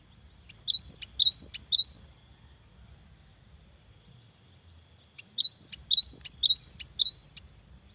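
Cinereous Tit giving two bursts of rapid, high, sharp chattering notes, about ten quick phrases each, separated by a three-second pause.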